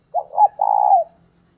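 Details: Spotted dove decoy calling to lure wild doves: one phrase of two short notes and a long, gently pulsing coo that falls at the end, with a faint low hum underneath.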